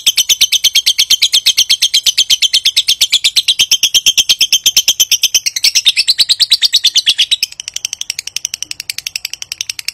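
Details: Long ngekek trill from a lovebird, a provoking call to draw an answer; dense, fast chattering pulses pour out for about seven seconds, then give way to a quieter, thinner ticking.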